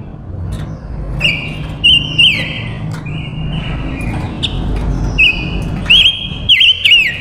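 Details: Silver-eared mesia female used as a lure for wild males: steady high whistles broken by short dipping warbles, grouped near the start and end, with a low background hum.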